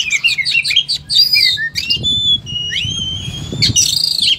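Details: Oriental magpie-robin song: quick descending whistled notes, then long pure sustained whistles and a buzzy burst, over a low rumble in the background.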